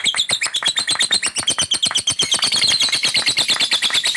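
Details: Male fighter lovebird song in captivity: fast, repeated shrill chirps and squeaky, chattering phrases running together in a high-pitched, continuous, busy torrent.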